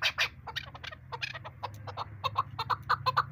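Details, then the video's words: Female chukar partridge used as a hunting decoy, giving a series of short clucking notes, irregular at first, then settling into evenly spaced chuck notes toward the end; faint low hum underneath. "new hunter bird sound shikari chakor Awaz keklik sesi"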